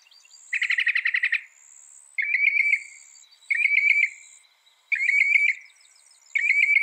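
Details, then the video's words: Northern mockingbird, a mimic said to reproduce 200 sounds, singing: one rattling trill, then a buzzy, slightly wavering phrase repeated four times at roughly one-and-a-half-second intervals, with a thin high hiss behind. "Masteran suara burung NORTHERN MOCKINGBIRE bisa merekam 200 suara"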